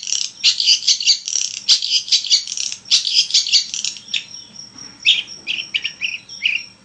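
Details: Energetic long-tailed shrike song, a lure for prompting other shrikes to sing: fast, dense, scratchy chatter for four seconds, then sparser, separate whistled notes with falling slurs.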